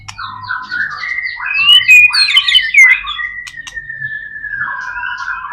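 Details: Murai batu, the white-rumped shama, singing to stir other shamas: quick warbling phrases lead into a long, steady sustained whistle; soft low hum underneath.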